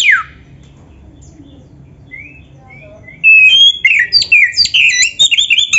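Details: White-rumped shama, a training recording meant to excite a caged shama into singing: after three quiet seconds with faint low hum, loud rapid varied song bursts, whistled slurs and sharp high chirps, tumbling in quick succession.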